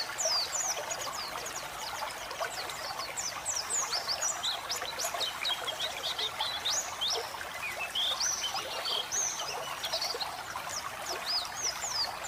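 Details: White-eye song set against flowing water as a relaxing training track for caged birds: rapid, very high, thin chirps and twitters in loose clusters, the hiss of the stream constant beneath them.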